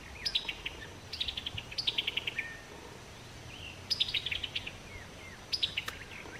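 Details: Chuckling call notes of a summer tanager in summer, four clear rattling bursts of rapid, high notes that tumble downward, with a few soft slurred notes between the bursts.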